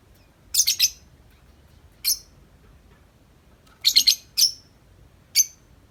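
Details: Tame lovebird outside its cage giving long nonstop 'ngetik' chattering: shrill, high chirps in short clusters of two or three, with pauses of about a second between bursts.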